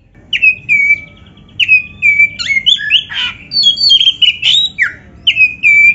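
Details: Oriental magpie-robin song used to fire up quiet caged birds: repeated clear whistles sliding down, interspersed with complex scratchy phrases and varied chirps, loud and close.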